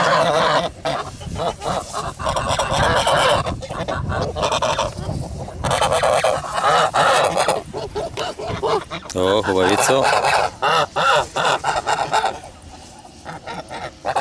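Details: On a farm on 10 August 2017, a group of Kholmogory geese honks loudly and repeatedly. Coarse, brassy calls pile up in bursts, with one wavering drawn-out honk near the middle and quieter gaps between outbursts.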